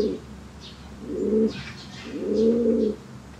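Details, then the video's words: A white fancy "one leg" domestic pigeon gives low, throaty, rolling coos, three in quick succession, the last drawn out longest, in a quiet indoor space. "White Fancy One Leg Pigeon With Real Sound"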